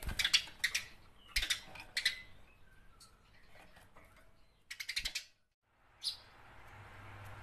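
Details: House sparrow fighting chatter: loud scratchy chirp clusters at the start, softer scattered notes in the middle, then one more rasping burst and a short chip.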